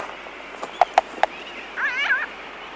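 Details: Close recording in a Laysan albatross colony: three crisp clicks, then a wavering, warbling nasal call rising and falling for about half a second, with sooty terns calling in the distance.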